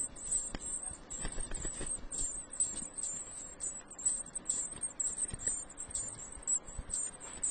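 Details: Eurasian blue tit nestlings, growing well, in a nest box on 30 April 2014 around midday keep up a thin, very high, hissing begging chorus in quick pulses, over low rustling and thumps.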